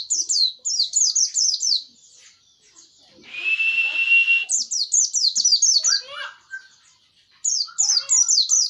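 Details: White-eye (pleci) in an old recording singing bursts of quick, high, downslurred chirps strung in rapid runs, broken by a pause with a single steady whistled tone before the chirping resumes.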